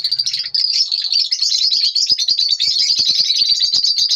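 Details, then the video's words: Lovebirds in the morning producing an unbroken stream of high, buzzy, rapid twittering, dense and shrill throughout without pauses. "lovebirds morning 🌅 natural sound"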